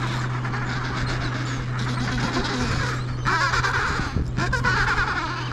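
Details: Adelie penguin fledglings chasing their parents and begging for food on Devil's Island, Weddell Sea, Antarctic Peninsula; a burst of harsh, harmonic squawking rises midway over a steady low engine hum.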